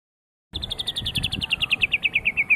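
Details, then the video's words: White-rumped shama of the Medan type, singing a fast series of about twenty short, evenly spaced whistled notes that grow louder and slightly lower, following half a second of silence. "kicau murai medan"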